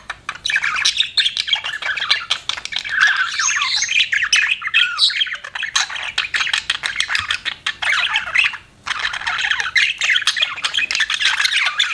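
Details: Pet budgies keeping up a long, nearly continuous stream of fast, raspy warbles, clicks and squeaky chirps, with one brief lull before the busy chatter resumes.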